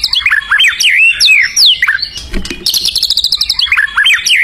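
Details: White-rumped shama singing actively in the wild: loud, clear down-slurred whistles in quick succession, broken by a high rattling trill, then more fluid whistled phrases.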